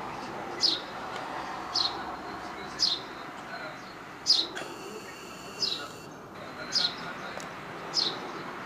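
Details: Several sparrows, filmed with a compact camera, giving short bright chirps at irregular intervals, about seven spread over nine seconds, over a steady background hum.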